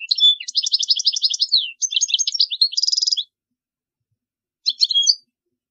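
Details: European goldfinch song played for teaching young birds: rapid, high twittering with buzzy trills and a quick rattling burst, running continuously for about three seconds, then a pause and a short final twitter. No other sounds.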